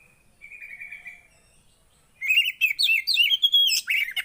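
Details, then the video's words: A soft, thin drawn-out whistle first, then after a pause a loud burst of rapid, high twittering notes sliding up and down. Javan white-eye song meant to spur a silent bird into singing. "Ampuh Buat burung poci yg Macet"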